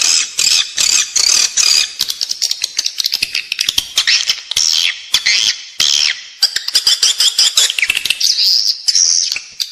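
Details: Indoor attraction calls of edible-nest swiftlets: long stretches of dense clicking rattles alternate with high buzzy chatter, uneven in rhythm.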